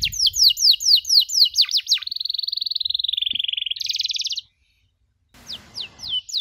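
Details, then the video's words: Canary on a training recording for teaching other canaries: rapid descending chirps, then a long even buzzy trill, silence, and a few sparse chirps. "MASTERAN KENARI SANGAT COCOK UNTUK PAUD YANG LAGI BELAJAR BUNYI CUIT CUIT"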